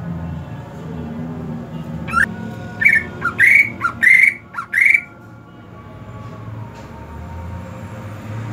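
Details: Caged greater green leafbird in the hot season singing a burst of six to seven short whistled phrases, some rising sharply, packed into about three seconds, with low background hum before and after.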